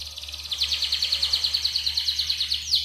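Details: Yellow Atlantic canary song used as a tutor for other birds, here a fast even trill of sharp repeated notes, about seven per second, held throughout with little change in pitch; a faint constant low hum behind it.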